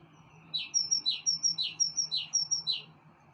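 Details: Small birds singing on a balcony: a steady run of about nine bright, high paired chirps, each a quick twittering note, repeated roughly every quarter second over a faint low hum.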